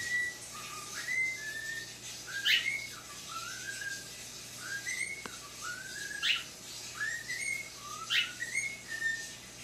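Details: Pet talking cockatiel indoors in low light, hearing himself played back for the first time: a run of whistled phrases, each a short rising slide followed by a level note, repeated roughly every one to two seconds.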